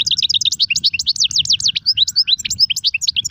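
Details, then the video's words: Continuous lively European goldfinch song in sarfati, guezrati and tsersir styles: rapid swooping, liquid notes and sweeping slurs tumbling without pause, with faint low rumble beneath. "صوت طائر الحسون نار 🔥🔥🔥 ( سرفاتي, ڨزراتي,ت سرسير )"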